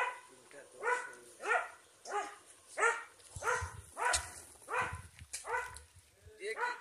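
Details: Turkey calling over and over, steady run of about ten rich, arched notes, one every half second to second, with faint background rustling.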